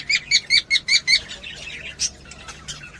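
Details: Cockatiel sounds meant to encourage mating: six short, evenly spaced chirps about a fifth of a second apart, followed by a softer, jumbled run of scratchy chatter.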